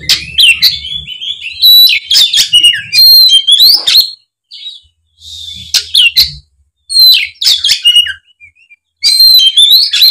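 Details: Oriental magpie-robin in full, loud song, used as a lure to prompt an off-form speckled bird to answer; rich whistled phrases with sharp rising and falling notes and chattering bursts, broken by short pauses, with faint low hum.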